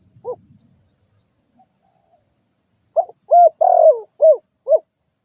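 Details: Lure-bird spotted dove: after a faint note and near silence, one complete cooing phrase of a quick note, two mellow coos, a prolonged buzzy falling coo and two short final coos.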